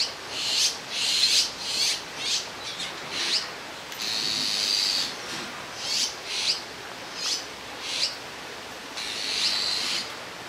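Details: Begging Azure-winged magpie fledglings sitting in a row on a branch at Jirisan National Park after leaving the nest, awaiting food from a parent; a rapid run of harsh, high, rasping calls, some drawn out into longer hissing notes.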